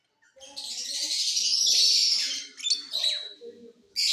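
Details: Mutation lovebirds in a flight cage singing out of season, giving a sustained, loud, rasping and buzzy chatter that swells and fades over two seconds, followed by sharp squeaky notes and a fresh burst, with quiet talking underneath.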